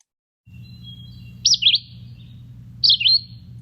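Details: Red-eyed Vireo song: two short, clear, whistled phrases of distinct notes that swoop up and down, about a second and a half apart, over a low steady hum; clearer and less raspy than Yellow-throated Vireo.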